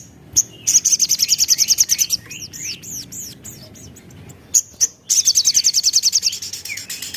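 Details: Lively Javan cochoa song used as a lure to get other birds singing: rapid high-pitched trills alternate with a run of curved, slurred whistled notes, and the fast trill returns after a short pause.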